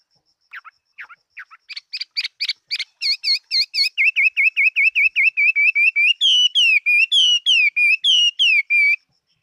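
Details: Chinese hwamei, a fighting bird kept for singing, recorded in 2018: a loud, rapid run of repeated slurred whistles that speeds up, then moves to higher, downward-sweeping notes near the end. A faint steady high tone sounds in the background.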